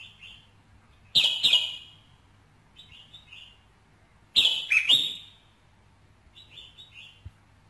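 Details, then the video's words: To excite a male red-whiskered bulbul: two loud, harsh, ringing bursts roughly three seconds apart, each followed by quieter rippling chirped phrases. "KÍCH SUNG CHÀO MÀO TRỐNG"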